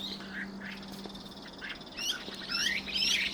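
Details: Two Chinese hwamei calling in the evening: scattered high whistled and rising notes, louder toward the end, over a steady low hum.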